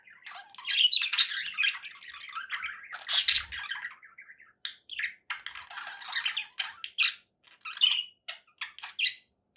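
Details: Budgerigars kept as pets chatter in uneven bursts: scratchy warbles early, then separate short chirps and squawks spaced by small gaps, with a faint low thump.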